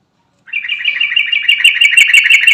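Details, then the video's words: Trucukan garuda, a Sooty-headed bulbul, calling for companions in a recording meant to lure other birds: after a brief pause, a steady, quick run of sharp chirping notes that grows slightly louder and continues to the end. "Burung Trucukan Garuda Gacor Manggil Teman"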